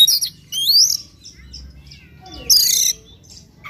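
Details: Oriental magpie-robin giving morning lure song to stimulate another bird: a sharp high note, a rising whistled sweep, soft chirps, then a loud harsh buzzy burst.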